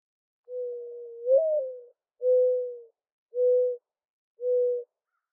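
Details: Mourning dove call in a quiet setting: a long soft coo sliding up at its end, then three shorter level coos at a slow, even pace, low and hollow in tone.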